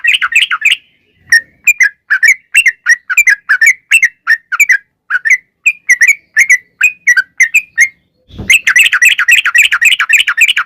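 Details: Sooty-headed bulbul in lively, continuous long-phrase singing meant to spur other bulbuls into song. Steady streams of chirpy, warbled notes repeat rapidly. A brief dull thump interrupts, then a dense, faster burst of chatter follows.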